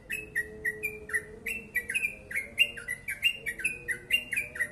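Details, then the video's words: Yellow-vented bulbul, long rapid 'ropel panjang' song style: clear downslurred chirps, about one and a half per second, some doubled, with a soft low whistle-like tone underneath. "Crucukan ropel panjang gacor sped rapat"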